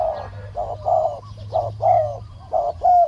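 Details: Decoy green imperial pigeon calling while wild birds are lured in: a string of deep hollow hooting notes, each short and slightly wavering, about one per second, with a low droning background hum.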